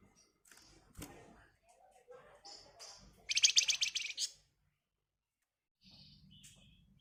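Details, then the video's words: Flamboyan bird giving an agitated, dense song meant to prompt other birds to sing: faint scattered high chirps, then about one second of rapid, buzzy, scratchy chatter, with soft low background noise. "Burung Flamboyan Gacor Emosi Ngebren Rapat Nyerecet Cocok buat Pancingan"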